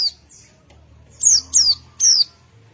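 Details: A white-eye sings in ngalas style in answer to another white-eye, giving three sharp high notes that slide steeply downward in quick succession after a near-silent opening.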